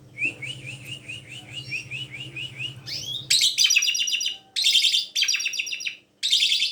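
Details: Black-collared starling suited to luring other birds into song gives a steady run of about ten upslurred whistles, then loud, harsh, grating bursts of noisy chatter separated by short gaps.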